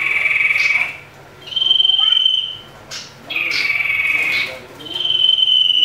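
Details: Agitated common iora fighting, used as a lure call: drawn-out pure whistles held for about a second, alternating slightly in pitch, with brief sharp notes between them.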